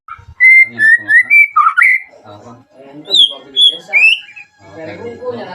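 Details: White-rumped shama song played as a lure to provoke other shamas into singing and answering a rival. Loud clear whistled notes, some rising and some level, repeated in quick phrases, with lower chattering sounds underneath.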